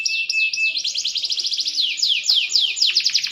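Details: Green canary song as the bird matures: a thin whistled note, then quick repeated high chips and rolling downward-sweeping trills.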